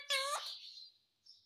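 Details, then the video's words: Pet parrot calling "mummy" indoors: one drawn-out, whining voiced syllable with strong harmonics, fading into a thin, high hiss, then a faint short noise. "Mummy Bolne Vala Parrot || Parrot speaking mummy mummy"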